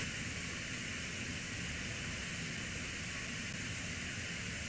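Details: Steady broadband hiss fills the recording with no animal voices, a constant rushing noise like wind or distant traffic.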